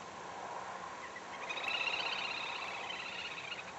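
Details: Little grebe giving a high, rapid trill that begins after about a second and a half and runs roughly two seconds, set against steady broadband background hiss.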